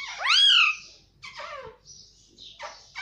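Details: Talking pet Indian ringneck (rose-ringed) parakeet saying words like "mummy" and "papa" in a high, nasal voice, starting with a loud rising-and-falling word, then shorter squeaky syllables.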